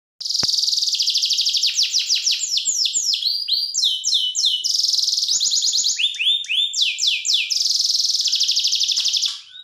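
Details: Canary master song used for training other birds: loud, continuous high trills, some rolling and buzzy, others of rapid falling whistled notes, changing every second or so with barely a pause.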